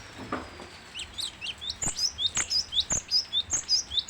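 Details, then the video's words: Cinereous tit (gelatik batu) singing actively: a rapid run of sharp, high two-note chirps, about two to three per second, growing louder toward the end, after a faint descending whistle and some soft lower notes at the start. "burung gelatik batu gacor"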